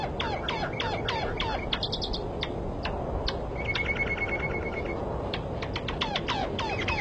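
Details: Many birds call together in a dense chorus of sharp, downward-sweeping chirps and short buzzy notes, with one steady whistled tone in the middle, over constant noise.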